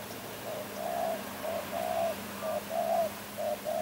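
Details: Spotted dove, known locally as tekukur, calling: a series of soft, low cooing notes, short and longer coos alternating roughly twice a second, with a steady low hum behind.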